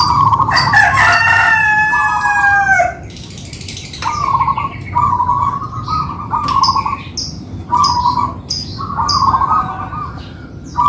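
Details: Local-type zebra doves in a two-bird duet. A rooster crows loudly first, then a run of short trilled, vibrating coo phrases follows at an even mid pitch, separated by brief gaps, with faint chirps above.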